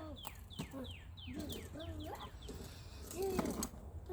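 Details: Northern cardinal on March 25, 2020 gives a short burst of six or seven quick, falling whistled notes, then lower warbling sounds partly mask the song against a humming background.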